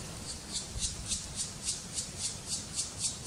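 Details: Black woodpecker chicks being fed by a parent in the Karst, Slovenia, in May 2018: a fast, steady series of harsh, high raspy begging notes, about three to four a second, over a low background hum.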